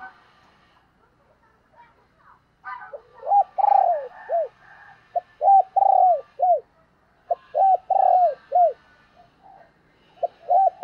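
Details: Decoy spotted dove calls to attract wild doves. After a quiet start, mellow phrases of short coos and a long rolling coo repeat about every two seconds, over faint twittering from other birds.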